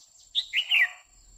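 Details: Female red-whiskered bulbul singing to excite a male: one short, loud 'quých kiu' phrase of a high sharp note followed by two slurred, falling whistles, in an otherwise quiet background.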